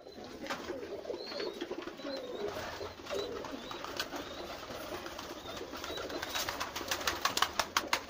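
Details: Many pigeons kept together in a flock, giving a dense, continuous low murmur of overlapping coos, with thin high chirps above and a run of sharp clicks and wing claps growing toward the end.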